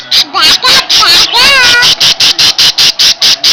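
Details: A pet parakeet sounds its alarm, which it does whenever someone gets close to it, with harsh, high screeches, about four a second, with a burst of warbled chatter in the middle and a person's voice nearby.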